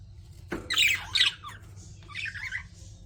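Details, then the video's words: Pet budgies give two loud scratchy chattering bursts followed by a softer warbled phrase, with a constant low background hum. "CUTE PET BUDGIES CHIRPING"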